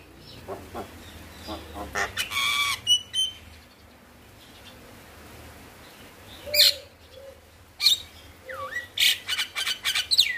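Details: Male Javan myna singing as a master recording to coax reluctant mynas: scattered harsh bursts and clicks, a quiet stretch, then a swooping whistle and sharp chattering notes.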